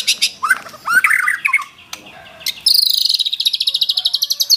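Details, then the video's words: White-rumped shama singing a mixed phrase: harsh scratchy notes and lower warbles, a short pause, then a long fast high trill of evenly repeated notes. "MURAI GACOR BONGKAR ISIAN !!! MURAI BATU ISIAN MEWAH FULL TEMBAKAN"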